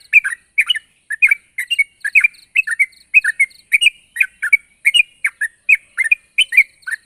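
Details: Sooty-headed bulbul, calling vigorously to draw a rival, gives a steady stream of paired chirpy notes, roughly three pairs per second, throughout.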